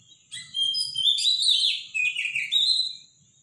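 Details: A robin's loud, powerful morning song, given as two high, tumbling phrases of thin whistles, quick trills and sliding notes separated by a brief pause, with no other sounds.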